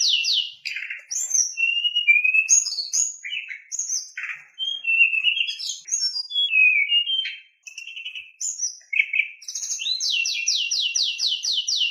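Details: White-rumped shama song used to stir other shamas into singing: varied loud whistled phrases, slurred and falling notes at different pitches with short pauses, ending in a fast series of repeated sharp descending notes.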